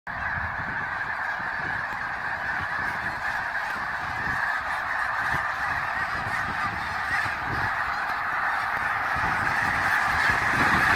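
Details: Thousands of Snow Geese at Green Lane Park, Montgomery County, Pennsylvania, USA, on February 23, 2019, make a dense, unbroken wall of overlapping honks that swells slightly toward the end.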